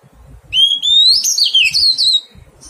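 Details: Wild-caught Oriental magpie-robin during taming: a loud phrase opens with a clear rising whistle, then breaks into tumbling, warbled, slurred notes lasting about one and a half seconds, with faint low rumbling behind.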